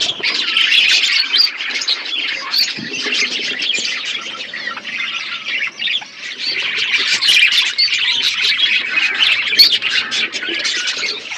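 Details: Outdoor aviary of budgerigars eating, filled with loud overlapping squawks and rapid chirps, a restless flock chatter that barely pauses throughout.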